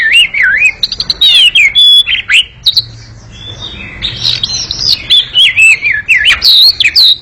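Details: Oriental magpie-robin in an extended, fast, noisy chattering song: wavering whistled trills and sharp downslurs, a quieter patch midway, then a dense burst of warbled, buzzy phrases.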